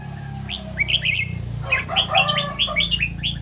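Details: ["In the morning a red-whiskered bulbul sings the doubled 'rik' song, repeated two to three times. A quick string of rising, slurred whistled notes plays over a strong low rumbling hum."]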